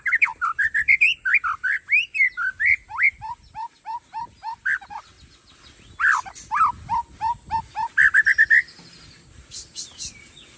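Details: Aceh white-rumped shama from Tangse pouring out rich whistled phrases: swooping notes, repeated lower chirps, a pause, then sharp downslurred whistles and a rapid rising run, with a steady high background hiss.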